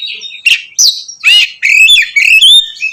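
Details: Oriental magpie-robin singing hard and openly to provoke others of its kind: scratchy buzzy notes, a harsh squawk-like note, then clear rising whistles in a quick varied sequence.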